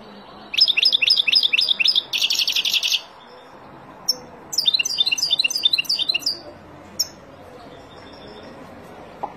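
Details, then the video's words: Song of a wild European goldfinch, meant for teaching young birds to sing. It opens with a quick series of sharp chirps and a buzzy trill, then after a break gives a run of jingling twittering notes. "اروع تغريد طائر الحسون البري لتعليم فراخ"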